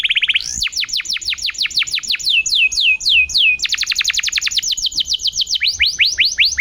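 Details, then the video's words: Lively canary song from a masteran training recording meant to get quiet canaries singing again: a short steady whistle, then fast rolling trills of downward-sweeping notes, a brief pause, and another rapid trill at a different pace. "Suara burung masteran kenari gacor"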